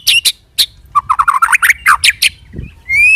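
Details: White-rumped shama (murai batu) rolling 'roll tembak' lure song meant to draw other shamas into singing: sharp chirps, then a fast string of short rising whistled notes, ending in a long clear rising whistle.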